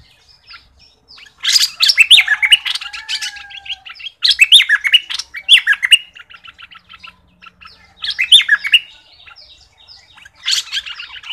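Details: Lure recording of a southern Thai thick-billed flowerpecker: dense, high twittering phrases alternate with short runs of quick clicking ticks, and a faint lower whistle sounds briefly near the start.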